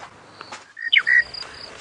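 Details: Monotonous Lark belting out its morning song right next to a car on a sunrise safari drive, 19 March 2017. A short phrase of clear whistled notes: a flat whistle, a quick falling slur, then a held whistle, with faint insect buzzing behind.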